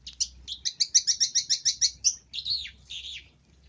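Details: Long-tailed shrike luring sound: a fast run of about a dozen sharp chirping notes, then a few longer slurred, buzzy phrases trailing off, over a faint low hum.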